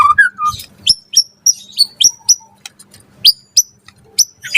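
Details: Energetic white-rumped shama song used as a lure to set other shamas singing: a low burry opening phrase, then sharp high whistled chips with short downward flicks, repeated roughly every third of a second with brief gaps.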